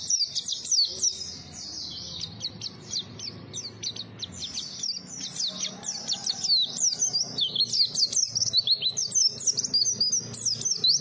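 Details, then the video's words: A white-eye sings to attract others of its kind: sustained high, chattering twitter with quick rising and falling slurred notes, about a hundred bursts per minute, irregular in rhythm, with faint low background rumble. "Burung kecil bersuara merdu si PLECI gacor menawan || semua pleci pasti terpancing"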